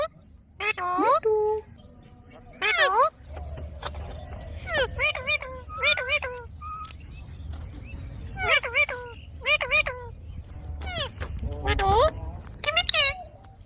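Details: Talking ring-necked parakeet producing clipped, speech-like syllables in uneven clusters over about fourteen seconds, some doubled, with a low background rumble.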